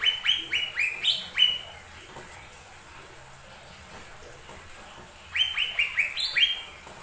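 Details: Lesser green leafbird singing as a lure to provoke other birds to sing: quick runs of four to five high, slurred whistled notes, a long pause, then another similar run.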